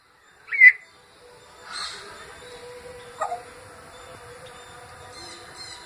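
An African grey parrot mimics other birds: a sharp, bright whistle, then a harsher rasping burst and a short falling note, over a faint steady background hum.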